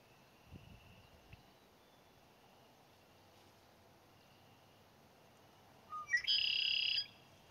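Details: A male red-winged blackbird calling from cattails on May 10, 2017 gives two short rising introductory notes, then a loud buzzy trill lasting under a second, after a quiet stretch with faint thumps.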